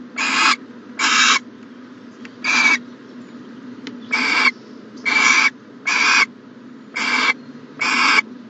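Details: Owl at a nest box, morning of 14 January 2020, making eight rough hissing bursts with a pause near the middle, plus a couple of faint clicks between calls.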